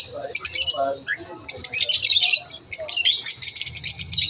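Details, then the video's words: Lovebirds at lunch time: scattered squeaks and short chirps build into dense, high, rasping chatter that runs on with brief breaks. "Lovebirds chirping sound"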